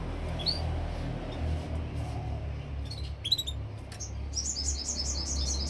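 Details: Canary singing: scattered thin high chirps give way to a quick run of repeated bright, high-pitched notes near the end, over a steady low hum.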